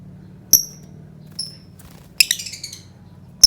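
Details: Lovebird lure call, played to provoke other birds: shrill, sharp chirps with a brief bright note, a rapid rattling burst of several chirps, then one more piercing chirp, over a steady low hum.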